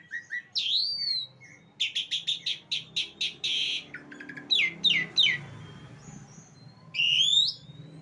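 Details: Jalak suren, the Asian pied starling, delivers a swooping whistle, then a fast series of sharp, evenly spaced clicking chirps, followed by descending slurred notes and a final rising whistle over a low background rumble.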